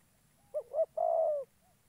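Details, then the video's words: Trapping decoy spotted dove from Gia Lai, Vietnam, delivering a single coo: a pair of short soft notes leading into a sustained, gently falling croo, with only faint low background noise. "Bẩy chim cu gáy"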